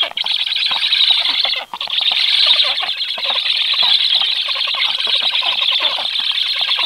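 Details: Black stork chicks begging at the nest while an adult feeds them during a brief 14-second visit, 21 July at 18:36: a dense, continuous wheezy, hissing chorus, harsh and noisy, with one short break near the second mark.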